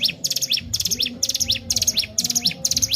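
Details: Sunda warbler, a bird used as a lure for training other birds, singing in rapid repeated phrases: a high buzzy chattering burst followed by a sharp down-up slurred note, about two phrases per second, over a low steady hum.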